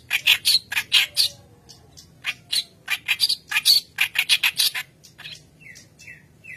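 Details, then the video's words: White-browed kerak basi in full song as a training lure: about two dozen harsh, rasping bursts delivered rapidly in clusters, ending with three short downslurred whistles. "Keras Basi Alis Putih Gacor Pancingan Bahan"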